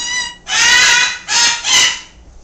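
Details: A green-winged macaw in another room gives two loud, harsh, raucous screeches in quick succession, out-shouting a Timneh African grey that is chattering, clicking and making baby sounds; a brief clear whistled note beforehand is possibly from the other parrot.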